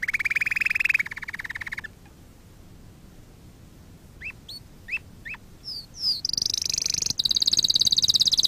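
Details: Canary song for training: a fast mid-pitched trill, a quiet stretch with a few separate rising chirps, then a high, sharp, rapid trill to the end.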